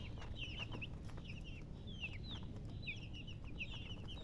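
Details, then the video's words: Baby chicken chicks chirping: a flock peeps continuously with high, thin, downslurred cheeps overlapping several times a second, over a steady low rumble of background noise. "Baby "Chicks Chirping" Sound"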